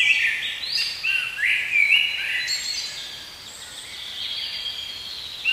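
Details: Spring forest blackbird song: a dense run of bright warbled notes and thin high twitters in the first two seconds, then quieter scattered chirps fading into faint hiss.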